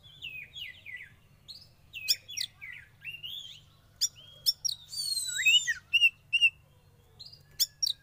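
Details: Oriental magpie-robin, a young bird taken from the wild, kept under sauna therapy, singing a varied string of high, rising and falling whistled notes mixed with sharp chips and a brief hissing sweep.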